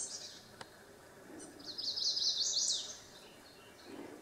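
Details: A Chestnut-sided warbler at Cross Mountain, Campbell County, Tennessee, on 10 June 2017 sings a quick run of about seven high, sweet notes lasting roughly a second, over quiet background hiss.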